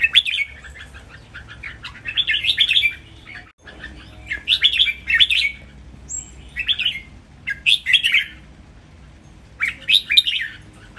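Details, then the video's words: Caged red-whiskered bulbuls, three rivals, pour out an energetic training song counted in phrases: rich, fluty warbled bursts about every one to two seconds, one brief high pure whistle between them. "นกกรงหัวจุก เจ้าขุนอินทร์ VS เจ้าขวานฟ้า VS เจ้าขุนไกร เสียงร้องเล่นเต้นริกเบิ้ล นับดอก แม่บท"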